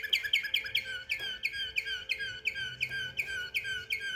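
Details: Canary in Samarkand delivering a rolling trill of bright, sharply falling notes repeated roughly four times a second, evenly paced throughout, with a faint low hum behind it.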